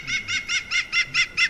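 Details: European green woodpecker (Picus viridis), male giving its laughing, sneering call of seven loud, ringing, even notes at one pitch, used to mark territory and attract a female.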